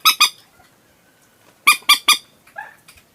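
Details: Common moorhen calling, used as a lure at night: sharp, harsh triple squawks in quick succession, a pair of notes opening and a fuller trio later, followed by a softer, lower squawk near the end.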